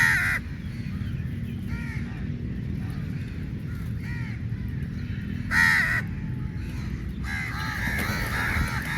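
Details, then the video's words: Flock of crows fighting for meat, intermittent coarse caws from multiple birds, a few loud nearby bursts amid quieter distant calling and a continuous low background drone. "Crow Birds Fight For Meat | Large Number Of Crows Naturally Awaz"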